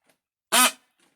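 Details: A young male Indian peafowl calling for the first time gives one short, harsh, nasal, buzzy honk rich in overtones, about a quarter second long; the owner likens it to a burp. Faint soft sounds come before and after.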